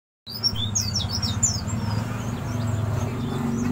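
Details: A prospek bird from Banyuwangi, sunned and fed mealworms, gives a quick run of high, scratchy chirps and twittering notes fading after about a second, over a steady low engine-like hum.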